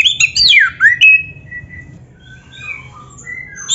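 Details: Oriental magpie-robin of the black-breasted form opens with loud looping whistled slurs, then trails into softer, drawn-out whistles and quieter notes with a faint hum beneath.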